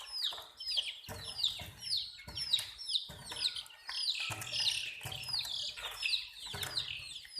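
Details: Domestic chicks peeping in a dense chorus of sharp, high, downward-slurred chirps, many overlapping and repeated several times per second with little pause, plus faint low thumps beneath.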